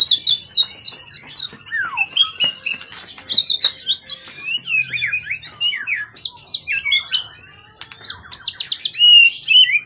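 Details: Caged competition bird, wild-caught from the forest, tail 20 cm, long in care and in full singing form. It delivers a long, varied high-pitched song of chattering notes, quick sweeping whistles and short trills, nearly continuous with brief pauses.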